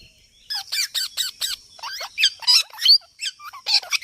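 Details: Talking parrot in its natural voice: rapid series of short, harsh, speech-like syllables with stacked harmonics, about three per second, then a looser run of squawky, warbling phrases; faint steady high whine behind.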